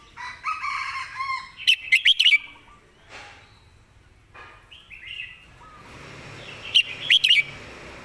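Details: Red-whiskered bulbul kept as a cage tutor bird, singing two crisp phrases of quick, sharply whistled notes, each phrase a tight cluster of rising and falling tones, after softer mixed chatter and faint background bird calls.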